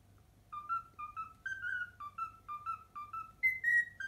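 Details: Cockatiel kept as a pet whistling a learned tune, the Pythagora Switch opening theme, as about a dozen staccato whistled notes that step upward and finish with a higher drawn-out note.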